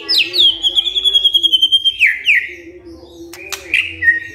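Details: Vigorous white-rumped shama song triggered by a lure: a long clear whistle sliding gently downward, broken into rapid pulses, then falling slurred notes, a sharp click and a final whistle, over a faint low drone.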